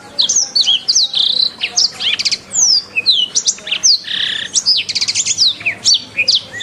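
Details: Canary master song for training: crisp descending whistles mixed with fast rattling trills and a brief buzzy note, delivered in clear separated bursts.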